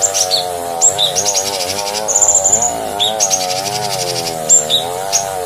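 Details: Bulbul song from a master recording for training cage birds: sharp high chirps, short whistled slurs and rapid buzzy trills in quick bursts, over a steady droning instrumental music background.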